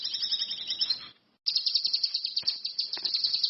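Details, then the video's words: Cucak kinoi, or orange-headed thrush, singing energetically as a lure. A high warbled phrase fades out, then a rapid, steady run of bright high pulses resumes and continues without a break. "SUWARA BURUNG CUCAK KINOI/ RANTI MAS, GACOR"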